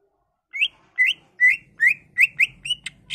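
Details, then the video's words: Lure song of a greater green leafbird meant to stir rival leafbirds into singing: a steady run of about eight short rising whistled notes, roughly two every second, with faint low rumble behind. "CARA CUCAK IJO BONGKAR ISIAN/ Pancingan Cucak Ijo Merangsang Cucak ijo lain"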